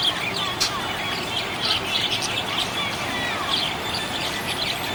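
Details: Cheerful budgerigar chirping, a continuous chatter of quick high twitters and short squeaks repeated throughout against a constant hiss.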